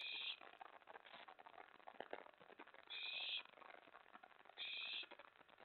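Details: Owlet and adult owl at the nest on the night of May 24, 2017, during prey delivery. Three breathy, screechy hisses of under half a second are spaced irregularly over scratchy movement noise.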